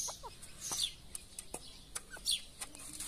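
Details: A mother grey francolin feeds her chicks live food: soft low clucks among thin, high chick peeps, with sharp pecking clicks scattered through.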